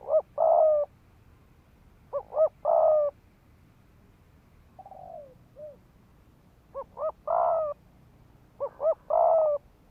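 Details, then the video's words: Spotted dove decoy cooing to incite males to fight: repeated phrases of two quick notes and a long throaty coo. A pair of softer descending coos sits in the middle of the clip. "Tiếng chim cu gáy mồi đất Thúc Gù kích bổi máu chiến"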